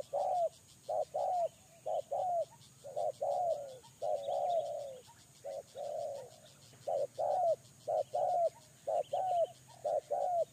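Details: Spotted dove kept as a lure bird, giving low cooing notes in pairs, a short coo then a longer falling one, repeated about once a second, with a steady faint high ticking behind.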